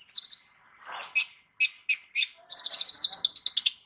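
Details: Sunbird called kolibri ninja, prized as a vocal teacher for other songbirds, delivering quick high trills, several separate sharp chips, then a long fast rattling run of bright notes.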